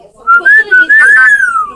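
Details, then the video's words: Parrot whistling a short wavering phrase: several quick tonal notes stepping up and down, ending in a long slide down in pitch. "Parrots making crazy noises!"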